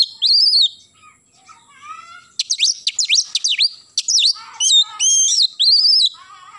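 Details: Oriental magpie-robin in lively morning song: loud arched whistles, a soft descending warble, then rapid strings of sharp falling strokes and bright looping phrases, delivered in a quiet setting.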